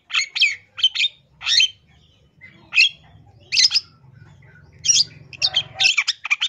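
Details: East Java long-tailed shrike song full of mimicked phrases, played as a lure to make other shrikes sing: short bursts of harsh chirps and squeaky notes separated by brief gaps, more rapid at the end, with a faint low hum.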